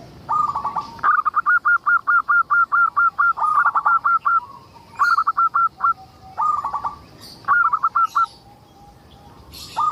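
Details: Local zebra dove singing steadily, used as a lure to prompt other zebra doves to sing: repeated bursts of quick, staccato, cooing notes, several phrases of five to ten beats separated by short pauses, with faint higher chirps of other birds.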